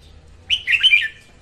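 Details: A female red-whiskered bulbul sings in the morning, a recording used to train birds and lure them to traps; one quick, lilting phrase of linked whistled notes slurring up and down.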